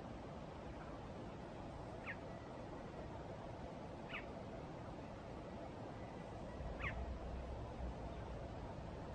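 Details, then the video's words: Sparrows at Townhill: three short, sharp chirps spaced about two seconds apart, each a quick downward-sweeping note, over a steady low rumble of background noise. "Townhill Sparrows"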